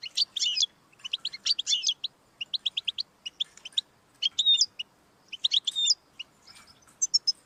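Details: Goldfinch song in choppy phrases of fast, liquid twittering notes, with rolling buzzy flourishes and brief pauses between bursts. Used to stimulate singing in a pet goldfinch.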